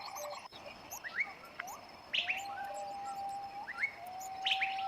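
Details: West Javan long-tailed shrike parent feeding six chicks; short upslurred chirps and squeaks in scattered bursts, then a long level whistle through the second half, with a faint click early on.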